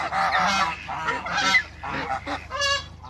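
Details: African geese mixed with Muscovy ducks on a farm, a flock giving harsh overlapping honks in rapid bursts, several calls per second, over a steady low hum.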